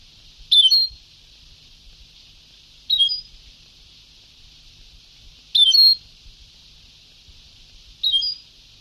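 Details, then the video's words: Old Sebtawi song tape of a European goldfinch: four short, sharp, high-pitched twittered bursts roughly every two and a half seconds, background tape hiss. "Canto del jilguero antiguo شريط تغريد سبتاوي قدييييييم روعة"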